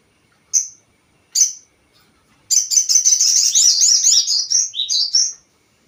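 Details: Crested jay call played as a lure to provoke other birds: two separate sharp high notes, then a dense three-second run of fast, high chattering notes that wavers and drops slightly near the end.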